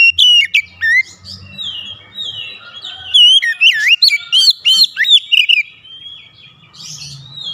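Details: Oriental magpie-robin (kacer), caged and provoking a rival: sharp loud chirps, a drawn whistle, then a tumbling run of looping, warbling notes fading into quieter sounds.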